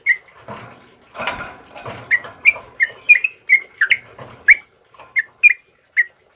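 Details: Sooty-headed bulbul of the trucukan kebo type singing actively in the morning: short whistled notes, bright and slightly rising, spaced about once a second, with soft rustling and wing flutters in the first seconds.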